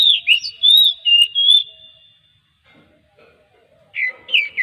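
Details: Oriental magpie-robin song played to draw other magpie-robins into singing: loud clear whistled phrases with sweeping slurred notes, a silent gap of about two seconds, then another burst of rich whistles.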